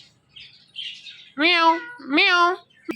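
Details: Indian ringneck parrot mimicking speech, saying "Mithu": two loud drawn-out nasal, voice-like syllables with rich layered tones, preceded by soft chatter and ending with a brief click.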